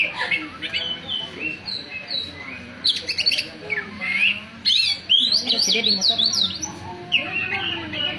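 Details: Oriental magpie-robin singing: a busy run of varied high whistles, slurred rising and falling notes and harsh squawky phrases, bursts every second or so, with a faint low murmur beneath.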